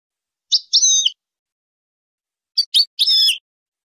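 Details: Goldfinch song used to train birds and encourage mating: a short high twittering phrase with a nasal drawn note, then after a pause three quick notes ending in a longer buzzy, wheezy note.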